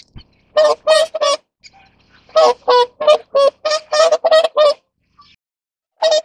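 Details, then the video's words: Whooper swans mating, calling with loud nasal bugling honks: a short trio, then a longer series of about ten evenly spaced notes, and a final single honk after a gap. "大天鵝(黃嘴天鵝)-交配/Whooper Swan-Mating"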